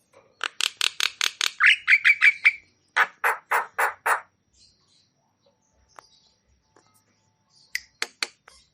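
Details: Javan myna song in lively full-repertoire style, used to stimulate stressed or quiet mynas: a run of harsh rapid notes, a short rising note, then another burst of buzzy repeated notes, with a few scattered chips at the end.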